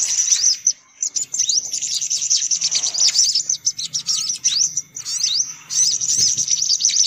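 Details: High-pitched sunbird chatter used as a lure: quick sharp chirps and short upward-sweeping notes tumble over one another in a continuous busy stream, with a few brief gaps.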